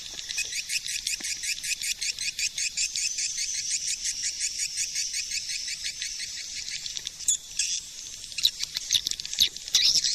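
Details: Swiftlet lure call: rapid series of high, buzzy chattering pulses repeated several times a second, growing denser and rougher toward the end, with low sounds filtered out.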